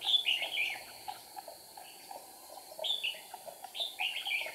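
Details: Red-whiskered bulbul decoy in a trap, 8 April 2019, busily flicking its wings and tail: high bright warbled phrases at the start, middle and end, separated by quieter gaps and a constant background drone.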